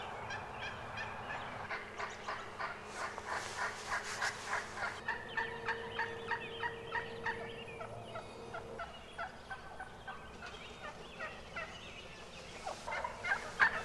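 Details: Wild turkeys calling in early spring in Rhode Island, with a series of short, evenly spaced clucking pulses about every half second and a steady hum in the background.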